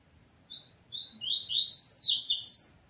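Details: Double-collared seedeater quarrelling with family members: two short thin whistled notes, then an accelerating tumble of high, overlapping chirps and squeaks that grows louder.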